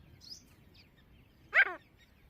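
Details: Grey francolin with its family of chicks: a single loud, harsh call sweeping downward, with faint high chirps before it over a quiet background.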